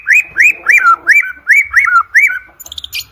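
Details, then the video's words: White-rumped shama (murai batu) song, used to train birds for song competitions: seven clear whistled notes, each rising then sliding down, repeated about every third of a second, ending in brief chattering. "OCEHAN MURAI BATU PALING EDAN, COCOK UNTUK PANCINGAN MURAI BATU UNTUK LOMBA"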